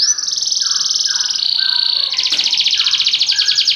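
A Belgian canary sings an unbroken run of high, rapid rolling trills that shift to a new tour about every second, with lower whistled notes beneath.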